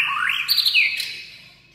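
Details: White-rumped shama singing to provoke other birds: a brief phrase opening with a sweeping upward whistle, then a quick high flourish and a short descending whistled note that fades away.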